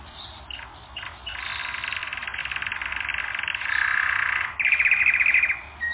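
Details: Canary song from a training recording, a sustained buzzy roll of rapid pulses that grows louder partway through, then shifts to a brighter, faster trill before a brief pause and a final note.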